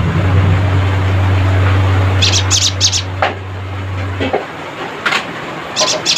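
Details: Cinereous tit chattering to call rivals, giving quick clusters of sharp, high ticking notes in short bursts, with a loud low mechanical hum beneath the first part.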